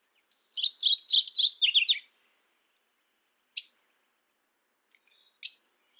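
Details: One loud phrase from a mourning warbler, a fast run of slurred chirry notes dropping slightly in pitch, followed by silence broken by two sharp clicks.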